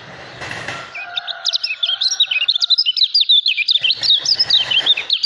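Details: Lemon-bellied white-eye singing in the nonstop ngejos style, billed as a top-form bird and contest hopeful. After a brief noisy thump and low whistled tones, a quick, high, warbling chatter of jagged notes runs to the end.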